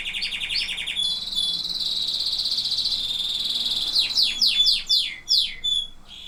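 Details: Canary song opening with a fast pulsed trill, then a long sustained buzzy tone for three seconds, followed by a series of sharp descending whistled sweeps.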